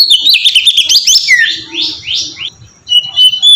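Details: Kacer, the oriental magpie-robin, in ngeplong song meant as a lure for training birds: fast chattering notes, then a series of buzzy upward-sweeping whistles, a brief hush and a bright high whistle.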